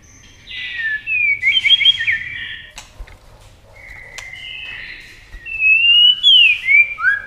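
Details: White-rumped shama in a speed singing contest, flashing wings and flicking tail nonstop; two bursts of rich whistled song with quick warbled flourishes, separated by a quieter pause with sharp clicks.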